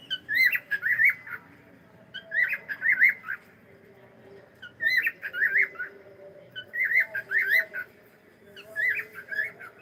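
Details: A pet cockatiel says hello with clear, warbling whistled phrases, each a pair of rising-and-falling notes, repeated roughly every two seconds in a steady pattern.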